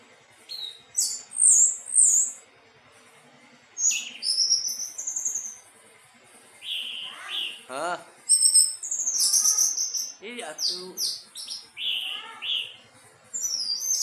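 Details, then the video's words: Anis teleng thrush in sweet, melodious song: long varied sequence of high whistles, chirps and sweeping slurs, some lower rapid rattling notes mixed in, phrases coming in quick irregular succession. "Burung anis teleng suara merdu"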